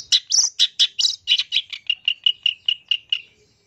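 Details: Long-tailed shrike call used as a lure for quick singing: a string of about fifteen sharp, ringing notes, harsh and varied at first, then settling into an even, slowing series before falling silent.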